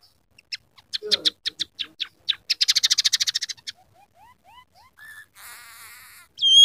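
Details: Scaly-breasted munia pouring out song filled with copied sparrow, red siskin and rough canary notes; staccato chirps run into a quick trill, then soft rising slurs and a brief buzzy warble.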